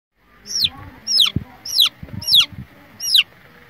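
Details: Baby chicks of a domestic hen peeping: five loud, high, sharply falling peeps spaced about every 0.6 seconds, with soft low knocks and rustling underneath.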